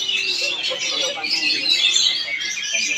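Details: Kacer, or Oriental magpie-robin, from Palangkaraya, Central Kalimantan, giving a continuous torrent of sharp, bright whistles and trills, a steady unbroken high warble with a faint voice and softer notes low in the background.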